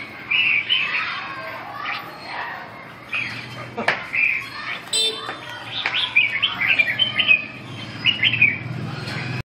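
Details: Song-training session of a red-whiskered bulbul, 2/6/2012: spaced bursts of clear whistled, warbling notes, a few sharp ticks, over a quiet low background drone.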